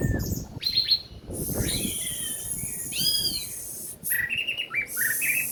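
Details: Orange-headed thrush after moult, singing a varied string of short high chirps, trills and slurred whistles separated by brief pauses, with a rough low background.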